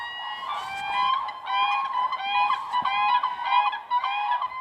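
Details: A pair of captive Siberian cranes in winter at Brykin Bor, Oka reserve, Ryazan region, duet in high, fluting, bugle-like notes about twice a second, the male starting and the female weaving her voice in; pair-bonding call.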